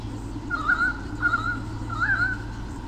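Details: Nest-camera sound of a white-bellied sea eagle pair, Sydney Olympic Park, Australia, 2013, fending off swooping currawongs; three evenly spaced bursts of warbling, honking notes, the last rising slightly, with steady background hum.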